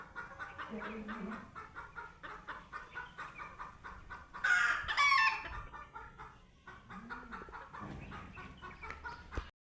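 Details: Chicken meeting a cat for the first time clucks in a fast, uneven stream of short pulses, then gives one loud, harsh squawk midway before the soft clucking resumes.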